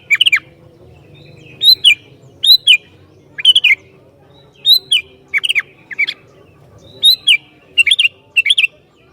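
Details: Sooty-headed bulbul song used to provoke other bulbuls: repeated bubbly phrases of two to three downslurred whistles, each phrase about half a second, given at steady intervals.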